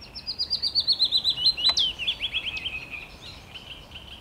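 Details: Willow warbler song recorded 17 May 2021, a fluid descending phrase of rapid, evenly spaced whistled notes that grows louder midway, gives a sharp upward flick, then trails off in softer, lower notes.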